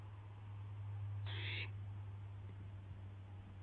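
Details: Barn owl recorded just after midnight, 12:06 AM on April 12, 2016, while an owlet tests its wings: a single harsh, hissing screech lasting under half a second over a steady low electrical hum.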